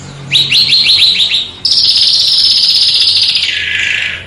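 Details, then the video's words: Small bird on a master track for tutoring contest cage birds: a run of rapid rising notes, then a long, dense, buzzy high trill that slides lower near the end, over steady background hiss. "Suara BURUNG KECIL !!! MASTERAN BURUNG KECIL TEMBAKAN TAJAM DAN SUPER PEDAS"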